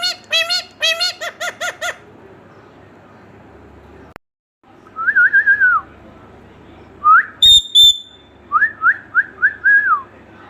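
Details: Talking Indian ringneck parakeet: a quick run of harsh harmonic voice-like notes, then bursts of wavering whistled phrases, brief sharp high squeaks and repeated rising-and-falling whistled notes in a steady chain.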